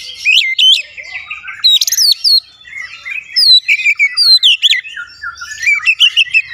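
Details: Energetic Oriental magpie-robin song made of sweet, fluty whistles mixed with scratchy notes and sharp upward slides, delivered in fast, nearly unbroken phrases.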